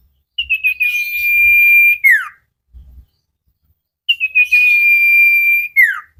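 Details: Vigorous common iora (cipow) song from a training recording for caged birds: twice, a quick series of chipped notes flows into a long flat whistle closing with a downward swoop; light taps in between.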